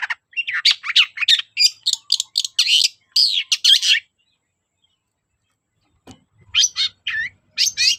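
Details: Long-tailed shrike song used as a lure to get reluctant shrikes to sing: a fast run of varied harsh, chattering notes for about four seconds, a pause of silence, then more scratchy high notes.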